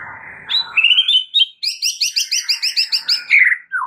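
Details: White-rumped shama on a masteran recording for stressed shamas: a short warble rises into a rapid, even series of about a dozen ringing, bouncing notes, closing with a brighter falling whistle.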